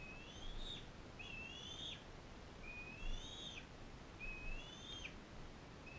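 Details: Captive bald eagles at a care centre: a non-releasable adult female fostering a bald eaglet from Powell River. Four high whistled calls, each sliding upward then snapping down at the end, spaced about every one and a half seconds, over a low steady background hum.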